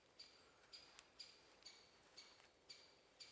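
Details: A woodpecker in a forest in sub-zero temperatures gives faint, sharp, high notes about twice a second against a quiet forest hiss, with a couple of soft clicks.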